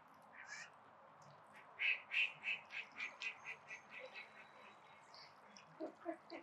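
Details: Call ducks at a spray pool: a rapid run of loud, nasal quacks, about three per second, that starts strong and fades, over a steady background hiss, with a few softer calls at the end.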